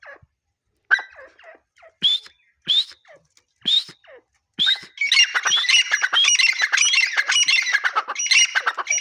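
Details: Grey francolin (teetar) calling: a few sharp rising whistled notes spaced about a second apart, then a dense, excited burst of overlapping squealing, chattering notes filling the last four seconds.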